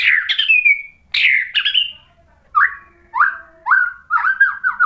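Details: White-rumped shama song meant to provoke another bird into answering: loud clear whistled phrases, first sliding and falling, then a run of short bright whistles and chattering notes, with short pauses between bursts.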